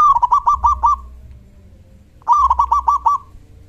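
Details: Loud 'kung' call of a local zebra dove in good form, played to provoke other doves into answering. Two phrases, each a sliding first note and a rapid string of five or six clipped, resonant coos, separated by quiet.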